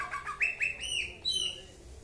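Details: Aceh cucak ijo in half 'mabok' song: a quick run of clear whistled notes, each rising sharply and then holding, climbing higher in pitch over two seconds.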